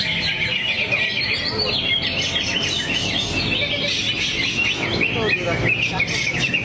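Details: Greater green leafbird pouring out its song repertoire, a fast, dense run of chattering, twittering and short whistled notes, continuous and high-pitched, with faint voices and background hum.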